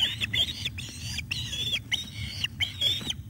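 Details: Osprey at the nest in the evening of 17 July 2021 while fish is delivered to a chick; bursts of harsh, slurred chirping calls in clustered groups with short pauses, low rumbling background noise throughout.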